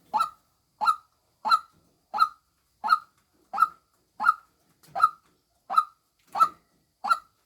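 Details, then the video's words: Female white-breasted waterhen repeating short, harsh honking notes, about eleven in steady rhythm around 0.65 seconds apart, quiet surroundings. "tiếng chim quốc mồi mái"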